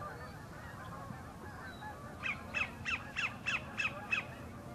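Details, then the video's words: Sandpiper song for a mate from the northern end of Horicon Marsh: after two seconds of faint distant bird calls, a clear run of eight quick, sharp falling notes repeated evenly. "SANDPIPER SINGING"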